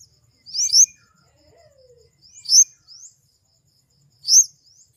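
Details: Flowerpecker giving thin, very high, upward-sweeping notes with a sharp accent. The short phrase repeats about every 1.8 seconds against a quiet background, with a faint lower slurred whistle between phrases.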